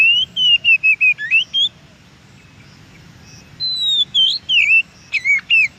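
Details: In the wild, an Oriental magpie-robin sings a rapid string of bright whistled notes, each rising or falling, then pauses about two seconds before another run of twisting, warbled whistles.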